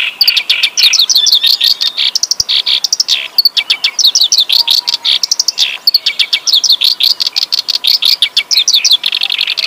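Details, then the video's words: Hill prinia in a long, unbroken song of rapid, high, sharply slurred notes, chattering and varied, repeated many times a second with scarcely a pause. "Kerak basi gacor lagu mewah"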